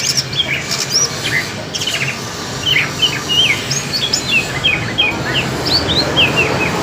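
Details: Greater green leafbird contest, an East Kalimantan bird against a speckled Alas Purwo bird from Banyuwangi: scattered bright whistled slurs, rising and dropping, delivered in loose bursts over faint background noise.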